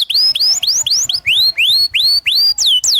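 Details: Steady canary tutor phrase for young birds: bright upswept whistles repeated about three times a second, the last two notes dropping sharply in pitch instead.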